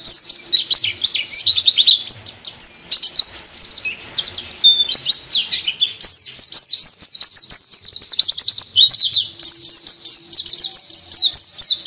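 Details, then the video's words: A white-eye, filmed casually, sings a long-duration, high, rapid twittering warble of thin slurred notes, running almost without pause with only brief breaks. "Pleci Durasi"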